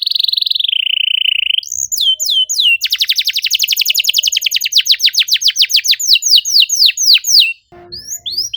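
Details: Canary singing close and rapid to coax a silent bird: a long steady buzzy trill that drops slightly in pitch, then looping whistles and a very fast run of sharp falling chirps, with a brief low knock near the end.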